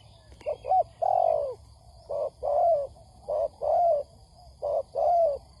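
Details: Spotted dove cooing on a trapping lure recording, quieter, with a steady hiss and a faint high tone behind; two- and three-note phrases ending in a long downward coo.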